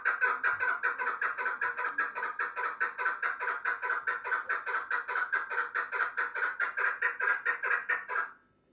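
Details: A chukar partridge gives a long, steady series of loud, hoarse chuck notes, about two or three each second, with an even rhythm for over eight seconds before stopping abruptly.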